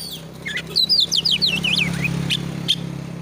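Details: Oriental magpie-robin (kacer) song for training a bird to sing along and fight: a run of high looping whistled notes rising and falling, with a few short chips, over steady low hum.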